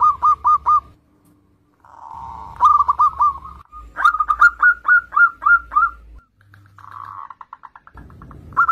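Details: Actively singing zebra dove meant to draw untrained young doves into song: choppy runs of quick mellow cooing notes separated by silences, with a low hum and a blurred, trilling stretch near the end.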